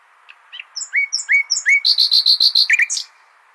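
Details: Tutor song for goldfinches from a common nightingale: quiet chips and slurred notes build into a run of pure, high repeated notes, then a buzzy flourish to finish.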